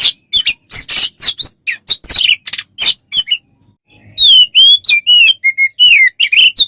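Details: Oriental magpie-robin song used as a tutor recording for training songbirds: rapid bursts of loud broadband chips, then after a short pause a run of clear whistled notes sliding up and down, with no other sounds.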